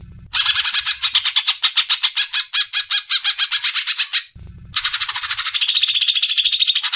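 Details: Greater green leafbird in besetan style, used as masteran tutor song for training songbirds: loud harsh rasping pulses repeated about eight per second for four seconds, a brief pause with a low thump, then another rapid rasping run.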